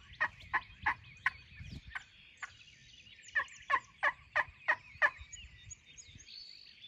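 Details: Spring Wild Turkey gobbler with many hens, near its roost at dawn, under hunting pressure: two rolling gobbles of evenly spaced throaty pulses, about three per second, with songbird twitters in the background.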